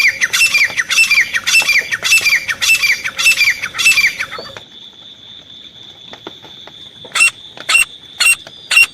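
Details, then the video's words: Grey francolin kept as a hunter's decoy bird calling: a loud harsh series of ringing notes repeated about twice a second for four seconds, then quiet with a few sharp clicks. "देसी तीतर आवाज। शिकारी तीतर की आवाज।"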